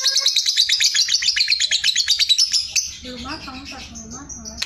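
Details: Sooty-headed bulbul in a gacor, continuous ngekek chattering song: a fast run of sharp, high, evenly repeated notes for nearly three seconds, then softer, lower wavering phrases and scattered chirps.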